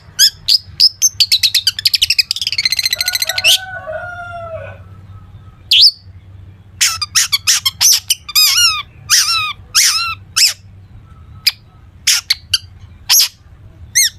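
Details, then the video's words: Long-tailed shrike 'gacor full isian' song for prompting other shrikes: fast staccato chips leading into a harsh nasal squawking run with lower tones, then a string of sharp downward-sweeping whistles. "cendet gacor FULL ISIAN buat pancingan cendet agar bunyi"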